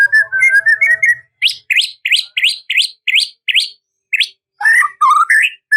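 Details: A white-rumped shama (murai batu) sings to call out a rival: a rapid chattering phrase, then a series of sharply upswept whistled notes repeated about three per second, ending in richer warbled notes.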